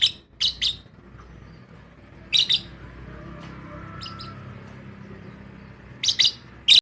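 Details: Lovebirds in an aviary colony: short bursts of harsh, high chirps in clusters of two or three, at the start, mid-clip and end, separated by quieter stretches with low background rumble.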